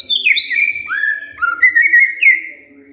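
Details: White-rumped shama answering after being provoked, singing rich, loud whistled phrases that slide downward and then hold level, with short high notes scattered above and faint low thumps beneath.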